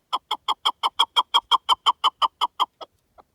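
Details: Partridge heard in the wild giving a regular run of about fifteen loud, clucking 'chuk' notes, roughly five per second, fading at the end into two softer, isolated notes. Background is silent.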